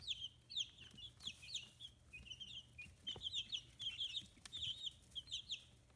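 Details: A group of fifteen-day-old chicks on a Hiroshima free-range poultry farm chirps continuously, shrill down-slurred peeps tumbling over one another with occasional soft clicks and taps.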